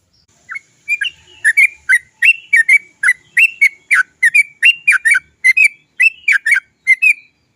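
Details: Sooty-headed bulbul song used to trigger other birds to sing: paired and tripled liquid chirps repeated steadily, each cluster slurring up and down.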